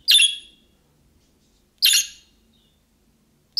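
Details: Harsh, buzzy chirps from a budgerigar, in the calling style of young birds that prompts replies from others; two clear calls under two seconds apart, with the start of a third, over a faint hum.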